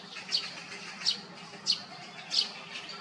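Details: Sharp high kik calls of a great spotted woodpecker at Hyochang Park, where an adult is raising a fledgling; four clipped, piercing notes spaced roughly 0.7 seconds apart over steady low hum.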